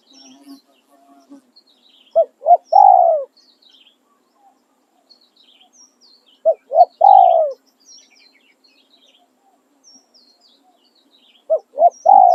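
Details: Decoy spotted dove singing the 'khan riak' calling and 'khan yon' styles. Three phrases about every four and a half seconds, each two or three clipped coos leading into a long sliding coo. Soft twittering of other birds throughout.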